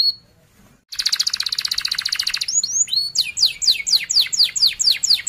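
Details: Song of a canary, played for training juvenile canaries: brief quiet start, then a loud buzzy rolling trill, upswept whistles and a run of quick descending chirps.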